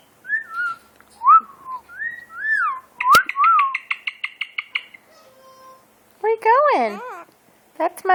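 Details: Pet burrowing parrot indoors near a sofa, giving clear whistled notes that slide up and down, then a quick run of about a dozen repeated notes, then harsh wavering squawks, while a person talks to it.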